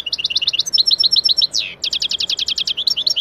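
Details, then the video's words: European goldfinch singing a Turkish-style lesson song rich in taneli çipet and cibil, recorded for training birds: a fast, steady stream of bright, high chirps with one sliding, descending note midway. "Saka Sesi -👉 Efsane Saka Ötüm Dersi - 💗Taneli Çipet Bol Cibili - Real recorded Goldfinch Song"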